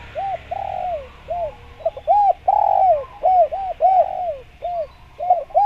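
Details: Spotted dove calling vigorously, a recording meant to lure wild doves: a fast series of short arched coos mixed with longer drawn-out, falling coos, all mid-pitched and repeated with hardly a pause, against a quiet background.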